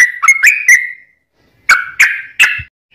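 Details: Sooty-headed bulbul song with straw-headed bulbul variations, used for training caged birds. A quick burst of four whistled notes ends in a drawn-out slur, then a short silence, then three louder, richer downward whistles.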